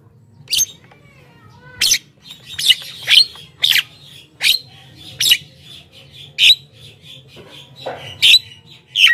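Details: Javan myna singing in full, lively form, used to lure wild mynas: harsh, broadband notes and squawks spaced roughly every half second to second, with a steady low hum underneath.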